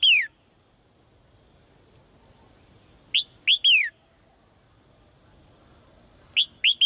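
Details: Female bird kept in a cage calls to a male with clear, high whistles that drop steeply in pitch. One opens, a burst of three follows about three seconds later, then another three near the end.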